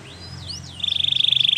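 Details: Belgian canary song meant for training other canaries: a few thin gliding whistles, then a fast, even trill of rapidly repeated high notes, about fifteen per second, over low background hum.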